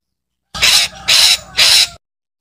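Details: Three loud, grating screeches from a calling parakeet, evenly spaced about half a second apart, rough and broad in tone with nothing else heard.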